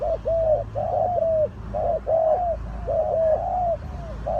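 Spotted dove giving soft, hollow coos in quick overlapping phrases, low and mellow, repeating through the clip with a faint background hum.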